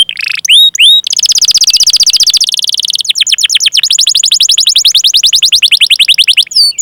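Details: Canary singing long chirping rolls, used as a lure to get young or silent canaries singing. A few swooping whistles open, then a long steady high trill and a faster rapid chirping roll follow, clean and loud.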